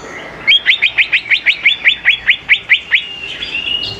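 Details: Greater green leafbird song used as a lure to get young birds singing: a rapid series of about thirteen sharp, downward-sweeping chipped notes, evenly repeated, followed by a softer warbling trail.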